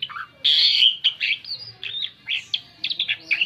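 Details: Asian pied starling singing a varied song used to lure other birds: a rapid run of short whistled, chattering and squeaky notes shifting in pitch, some sliding down, with brief pauses between bursts.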